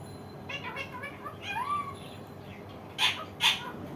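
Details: Indian ringneck parakeet, described as a very funny parrot, giving a few short, wavering, nasal calls, then two loud harsh screeches near the end over a steady background hum.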